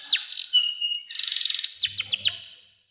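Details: Canary song for training young canaries to sing: high descending whistles, then a fast rattling trill and sharp downward sweeps, with a faint low buzz near the end.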